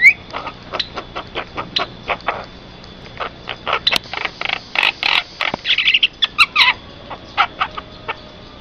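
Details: Black-winged starling song meant to lure other starlings, rapid scratchy chattering with clipped notes and a few whistled phrases building to a dense burst, a faint steady hum behind.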